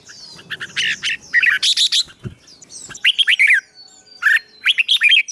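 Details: Songbird fighting song played to stir a young bird into fighting mood: a soft murmur, then clusters of loud, ringing chirps and twittering phrases broken by short silences, with a faint thump near the middle.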